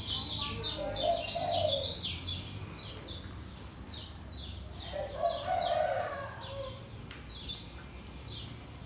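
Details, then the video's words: Kecial kuning from Lombok, a caged white-eye, pours out fast, evenly spaced high descending chirps in the slow ngejos style; a dove's mellow coo rises twice in the background. "SUARA KECIAL KUNING LOMBOK NGEJOS SELOW"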